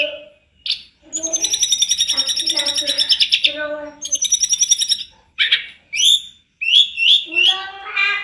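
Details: Tledekan gunung singing for a master recording meant to train other birds: long rapid rattling trills of repeated notes, later short whistled chirps and sweeping phrases, full of fill notes.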